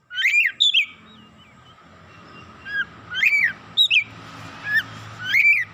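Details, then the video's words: Oriental magpie-robin in excited song: sharp whistled notes arching up and down, delivered in spaced bursts with brief pauses, over a faint continuous hum. "KACER NAIK EMOSI BONGKAR ISIAN"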